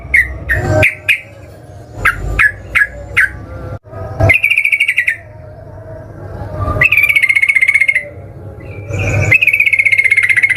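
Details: Sooty-headed bulbul singing to provoke rivals into fighting replies: scattered short sharp notes with clicks, then long even rattling trills separated by brief gaps, over a low hum.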